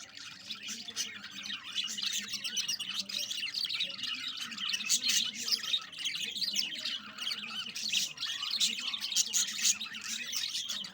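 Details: Budgerigar colony chirping together: a dense, continuous wash of overlapping high chirps and chatter with no pauses, plus a faint low hum underneath.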